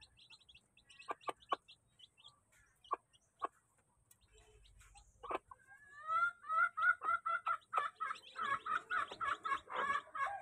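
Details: Domestic chicks in a crowd at feeding time: a few scattered high peeps, then a dense run of louder rising chirps repeated about four times a second, overlapping and building toward the end.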